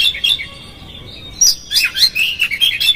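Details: Oriental magpie-robin in a lively 'konslet' song with rough fill-ins, used as a lure to agitate another magpie-robin into fanning its tail: a thin whistled opening, a pause, then bursts of sharp chirps and squeaky high notes from about 1.4 seconds.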